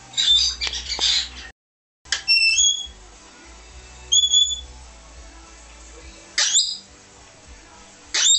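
Australian king parrot giving harsh squawks mixed with short, high, piping whistles, spaced a few seconds apart over a quiet background.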